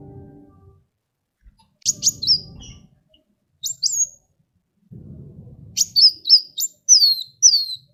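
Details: Sunbird in vigorous song, used for training other birds: paired sharp notes, then a quickening series of high whistles that slide downward. Low rumbling bursts sound between the phrases.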